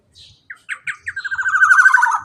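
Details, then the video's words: Black-naped oriole, a male kepodang emas, in its long 'ropel' roll used as a tutoring sound for birds that stop singing. Several separated slurred notes speed up into a fast, loud, rattling trill that holds steady to the end. "KEPODANG ROPEEELL PANJANG"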